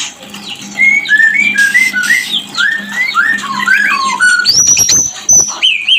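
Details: Mating song of a white-rumped shama, used as a lure to bring birds into breeding condition. Varied clear whistles run in quick rising and falling phrases, ending in high sharp notes over a faint low hum.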